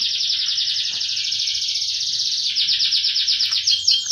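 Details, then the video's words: Canary in roll-style song, delivering a loud, unbroken, rapidly pulsed high trill for about four seconds that shifts slightly in tone midway and ends with a few sharper chirps. "Kicauan kenari roll power full"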